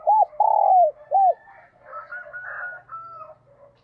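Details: Spotted dove kept as a decoy cooing in the morning to draw wild doves: arched low coos and a long falling note, then a distant rooster-like crowing with thin drawn tones.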